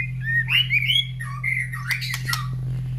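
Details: Caged white-rumped shama near other breeding birds in the morning after being fed, all calling back; looping slurred whistles, a lower downward note, then sharp clicks, with a persistent low hum throughout.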